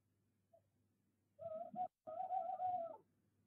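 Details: Night-time tawny owl at De Mortel, 20 February 2021, 22:02: a soft introductory note followed by a long, quavering, tremulous hoot lasting about a second and a half, its pitch wobbling rapidly, over faint steady background hum.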